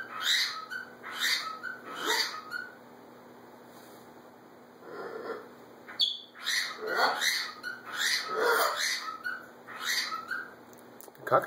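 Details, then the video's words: A bonded pair of macaws interacting affectionately trade short harsh squawks and chattering calls in bursts, several per second, with quieter mutters between and a steady faint hum underneath. "More Macaw Pair Interaction"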